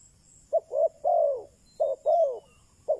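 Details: Decoy spotted dove cooing to lure wild doves: a clipped note followed by two drawn-out arching coos, then a similar phrase begins, mellow and low over a faint hiss.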